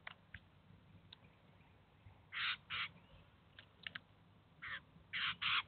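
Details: Eurasian jay with chicks at a cheese feeder in the city of Kaluga, the adult feeding and teaching them: a few short, harsh rasping bursts spaced irregularly over a quiet background hiss.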